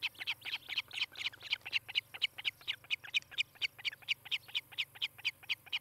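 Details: Osprey at a nest near Charlo, Montana, filmed by a nest camera on a July 2018 morning: a fast series of high, sharp whistled chirps, about four per second, steady throughout, with a faint low hum behind.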